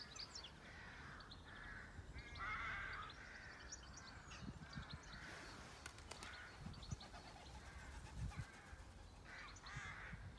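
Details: Birds on a farm, recorded as a relaxing, restful scene: rough cawing calls in short bursts of about a second, with thin high chirps scattered over them and soft low thumps and rural background noise.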